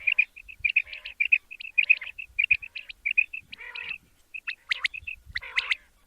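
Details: Quail (batair), described as a male, for a morning hunting session: clear, evenly spaced piping chirps in short runs, then a few buzzy, scratchy notes toward the end.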